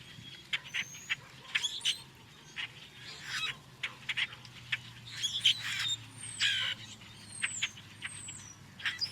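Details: Several common grackles in Kentucky in early spring give the song to attract females: harsh clucks and clacks mixed with squeaky, sharply rising notes in an irregular unmusical jumble, faint low hum underneath.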